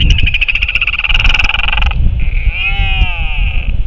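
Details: Northern royal albatross on 27 February 2024, at the return of birds, gives a loud, harsh, harmonic-rich braying call for two seconds, then a drawn-out wavering moan, over steady wind rumble.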